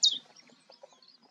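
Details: A common chiffchaff calling at Goldcliff, Newport Wetlands, on 11 April 2022, giving a single short, high, thin call note followed by a few faint soft notes against a quiet outdoor background.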